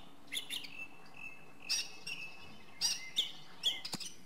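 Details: Song thrush (Turdus philomelos) delivering separate, sharp, high phrases about once a second. Each is a quick metallic flourish, set against a faint continuous whistle from other birds.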